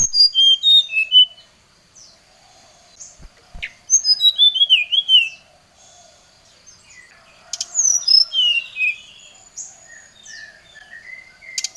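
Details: Oriental magpie-robin singing at a rival: three separate bursts of quick descending whistles and warbled notes, with quiet gaps between phrases.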